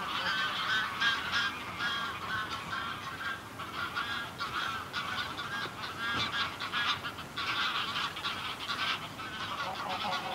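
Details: Greylag geese in a small flock keep up a long, dense chorus of nasal honks, heard at moderate range, rising and falling in bursts with barely a pause throughout.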